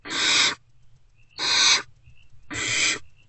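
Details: Great horned owlets, still hungry, in a nest box before sunrise on 3 March 2024 greeting a returning adult: three long rasping hisses roughly every second, with faint thin higher notes between them.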